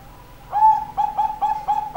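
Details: A female zebra dove gives soft, steady mid-pitched coos, five short notes in quick succession about a quarter-second apart, over a faint low hum.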